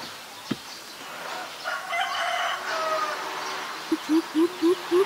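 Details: Greater coucal (Centropus sinensis) in Ubon Ratchathani, Thailand, April 15 2022, gives a quick run of five deep, hollow boops, each slightly rising, after a rooster crows in the background.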